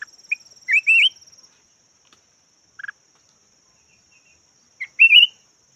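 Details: Yellow red-whiskered bulbul used as a decoy delivers two rolling, upward-twisting warbled phrases with a few short chips between, against a faint steady high hum early on.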